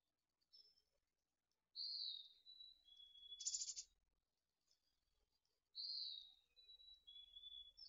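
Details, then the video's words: Mountain chickadees at a nest in Truckee as the nestlings fledge, early morning in late June 2020; clear whistled notes sliding downward in two-part phrases, given twice, with a short buzzy burst between them. "Truckee Mountain Chickadees Fledge"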